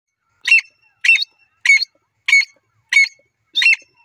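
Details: Grey francolin calling: six loud, harsh, squawky notes in a steady series, one roughly every 0.65 seconds, each a short burst with a bright ringing core, over a silent background.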